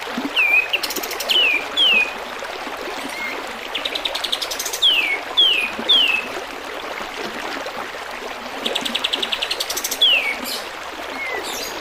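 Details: Repeated bright, falling whistles from a kapas tembak bulbul, often in twos or threes, mixed with occasional rapid buzzy trills and a few soft low notes, over steady gurgling water in a tutor recording for cage birds.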